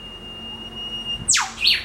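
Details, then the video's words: Male and female Eastern whipbird pair calling in a backyard treetop; a sharp whip-crack note sweeping steeply down, followed at once by the female's quick reply notes, after a long faint steady tone. "WHIP BIRDS"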